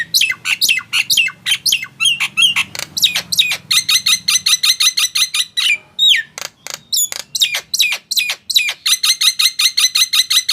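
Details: Nias hill myna singing to prompt silent mynas to answer: a dense run of loud, harsh squawks and ringing whistled notes, rapid and irregular, about three per second, with a faint low hum beneath the opening seconds.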